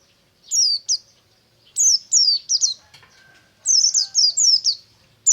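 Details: Morning ngalas-style song of a buxtomi white-eye, with strings of shrill whistles each sliding down in pitch, delivered in quick runs of three to five, with short gaps between phrases.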